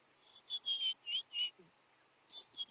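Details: A White-browed Scrub Robin off to the side at Djuma, Kruger, South Africa, on a cloudy sunrise drive after rain, 5/8/2016, gives five clear, high, slightly rising whistled notes over about a second, then two more after a pause.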